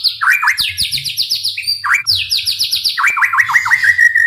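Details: A white-rumped shama's song for provoking rival shamas: quick rolling series of falling slurred notes, dipping chirps, then a run of rising-falling notes ending on a steady whistle.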